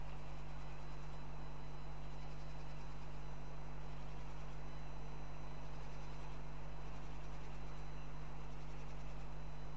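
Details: A steady low hum, like passing traffic or an engine, with broadband hiss and faint high electrical tones; no animal voice is heard.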